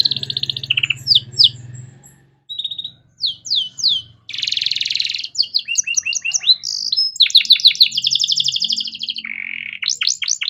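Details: Canary singing a master song for teaching young songbirds: a buzzy opening, scattered sharp notes, a harsh rolling burst, then long rapid trills and sweeps, with a low hum early on.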